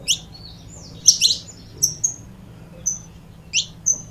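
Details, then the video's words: A saffron finch pair heard in a sparse passage of song, recorded for stimulating other birds: a few scattered high chirps and short thin whistled notes with long gaps, over a faint low hum. "Casal de Canário da Terra Bom Para Foguear!!!"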